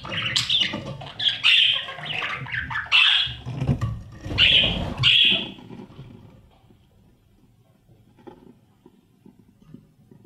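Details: Young budgerigars in a nest box, fed by the adult pair. Loud rasping, hissing cries come in pulses for about six seconds, then fade to near silence with faint rustles.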